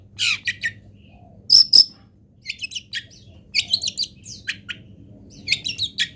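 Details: Local long-tailed shrike filler song used for training: clustered scratchy chirps, thin high whistles and buzzy notes in uneven bursts, with a faint hum underneath.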